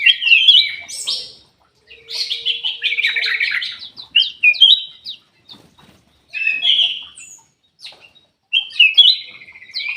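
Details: Aviary-kept Ruby-throated bulbul singing a lure song meant to prompt lazy birds to sing. Loud bubbling warbled phrases come in bursts separated by brief silences, with one faint low steady tone beneath.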